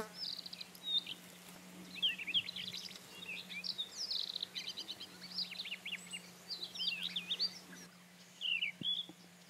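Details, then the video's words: Song of a rufous-tailed scrub robin, a bird of steppe and semi-desert with sparse shrubs: varied, rapid phrases of sweet slurred whistles and trills, high-pitched and continuous, with a low steady hum beneath. "Тугайный соловей. Прекрасная песня"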